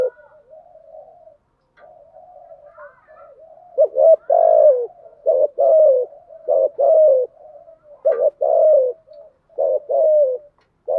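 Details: Spotted dove lure sounds for attracting doves: a low continuous wavering murmur first, then a run of rhythmic cooing phrases, short notes alternating with longer falling coos, about seven phrases in quick succession.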